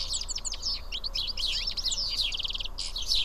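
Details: A flock of house sparrows feeding together in Karyotissa, Greece, chirp busily over one another, a dense overlapping chatter of short bright cheeps and quick trilled runs, with low rumbling background noise.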